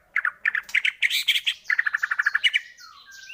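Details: White-rumped shama song used as a lure to stir shamas into singing: a fast run of about fifteen sharp, evenly spaced chipping notes, with a few higher whistled slurs and a faint buzzy trailing note.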